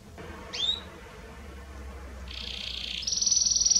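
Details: Belgian canary in 'estourado' full song, played to warm up other canaries: a single quick chirp, a pause, then a steady buzzy roll that jumps to a higher, faster trill near the end.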